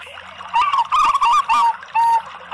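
A zebra dove sings four quick bursts of soft, wavering, trilled cooing notes, each under half a second, with a faint background hiss.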